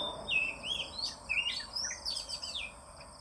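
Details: Morning song of an oriental magpie-robin: looping, sweet whistled phrases that climb and dip, fairly quick and varied, over steady background noise and a faint high whine.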